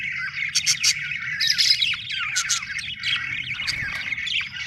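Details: Several happy budgies chirping together: a busy mix of high, scratchy warbles, quick rising and falling notes and sharp clicking chips, all over a faint low rumble.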